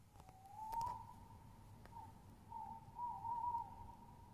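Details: Tawny owl recorded 22 07 20, giving a long, steady tonal note that wavers slightly in pitch and swells louder in several waves across the clip, with faint clicks early on.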